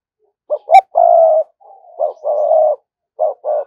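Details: Lure spotted dove, a caged decoy bird, giving a 'thúc gù' coo: two short clipped notes, then a long low steady coo. A second phrase follows, with one short note and a drawn-out coo, then brief coo fragments.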